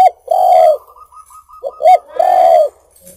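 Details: Spotted dove song used for luring birds: a long low coo, short quick notes, then another sustained coo, clear and close.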